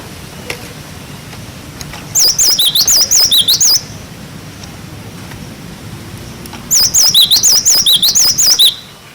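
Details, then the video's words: Song of a cinereous tit meant for teaching young birds: bright looping whistles alternating high and lower, delivered in a phrase of about one and a half seconds, repeated after a three-second gap. "Masteran glatik batu wucit wucit"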